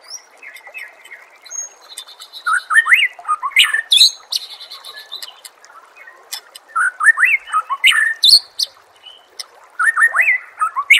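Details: White-rumped shama (murai batu) masteran song, a recording played to train birds for singing contests. Bursts of rich, varied phrases: quick rising whistles and chattering notes mixed with high, thin tinkling notes, broken by short pauses.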